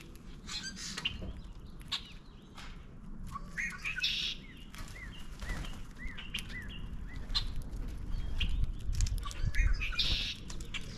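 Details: Several Common Grackles flocking to a backyard feeder near the end of spring give short squeaky chirps and harsh clicks, some with rising upslurred squeals, over constant low rumble and wingbeats as the flock flies off.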